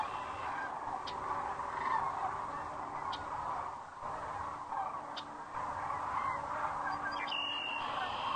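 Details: Many sandhill cranes gather for the night at Rowe Sanctuary near Gibbon, Nebraska, under an April 4, 2013 sunset, heard on a crane cam; a steady rolling chorus of overlapping rattles, swelling slightly toward the end, with brief clicks.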